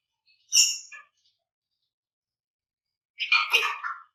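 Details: Flamboyan bird calling hard in dense bursts, a recording meant to spur other birds to sing: two harsh, noisy chattering bursts about three seconds apart, with silence between them.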